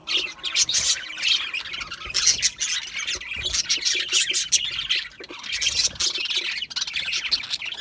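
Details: Budgerigars in a dense, continuous chorus of high chirps, squawks and warbled chatter, with overlapping voices and no pauses and many short sharp notes throughout.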